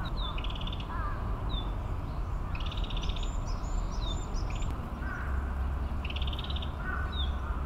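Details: Narcissus flycatcher singing in Maruyama Park, Sapporo, Hokkaido, Japan, on 17 May 2017: clear whistled phrases repeated every few seconds, each followed by short high sliding notes, with low rumbling background noise throughout.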